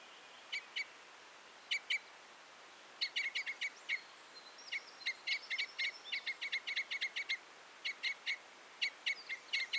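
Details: Common crossbill giving scattered hard 'kip' notes that build into a dense, chattering run mixed with thin, drawn-out whistled and buzzy elements midway, then more clipped notes, over light hiss.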